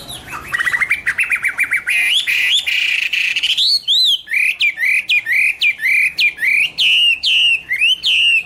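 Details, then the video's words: Chinese hwamei singing loudly and continuously: rapid stuttered notes give way to a long chain of rich, ringing whistles that swoop up and down, each phrase bright and slurred, with no other sounds. "Birds Garrulax canorus: Singer yellow mouth - wonderful birdsong"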